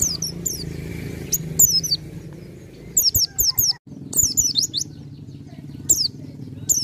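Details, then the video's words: Bar-winged prinia delivering quick clusters of thin, high, downslurred whistled notes, some groups of three or four in rapid succession, with a constant low hum and scattered knocks underneath. "PLECI DAKUN FULL NGALAS HAMPIR NEMBAK"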